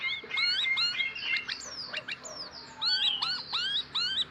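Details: Tame sooty-headed bulbul from Kebumen: short rising whistled notes sweeping upward, repeated in quick bursts with brief pauses, mixed with sharp clicks and chirps against a faint background hiss.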